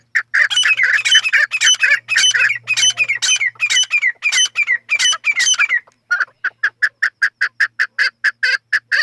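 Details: Chukar partridge, named as the national bird of Pakistan, giving loud, harsh, clucking notes in rapid rhythmic bursts for six seconds, then a steady series of short, evenly spaced chucks about four per second after a brief pause.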